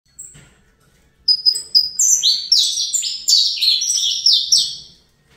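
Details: Young captive-bred Saffron finch of the Fibra type, starting to enjoy the commotion: a lone high note, then a fast run of bright, descending slurred chirps and trills that tumbles downward and fades out.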